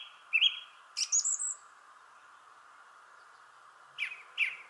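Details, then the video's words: Singing in a shrubbery tree, a thrush delivers a brief falling note, a high twittering squeaky phrase, a long pause, then two short downslurred notes, with background hum throughout. "Thrush Sings in the Shrubbery Tree."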